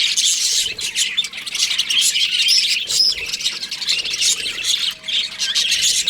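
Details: ['Baby budgerigars in an aviary, a dense, continuous chorus of high, scratchy chirps and squawks overlapping from many birds, with a brief steady whistle-like tone near the end.']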